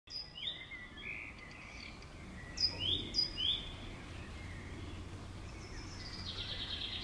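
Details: Common swifts passing by a house give a few thin, shrill, buzzy screams in quick bursts. The calls fade in and out over a low background hum.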